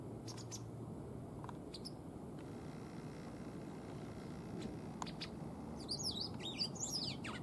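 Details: Pet white wagtail, a tame caged female without any breeding behaviour in spring: occasional thin high chips early on, ending in an energetic run of quick twisting twittered notes, with steady low room noise throughout.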